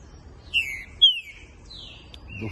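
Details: Young green-winged saltator (trinca-ferro) from a Pica Pau x Fogueira song lineage, kept by a breeder, gives two clear, slurred whistles, each sliding downward, about half a second apart, followed by softer trailing notes.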